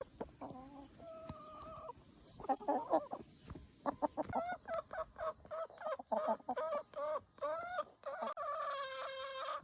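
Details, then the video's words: Backyard free-range chickens: a busy run of short harmonic clucks and squawks, some rising and wavering, coming in quick bursts, with a sustained nasal squawk held at the end. "Chicken Noises"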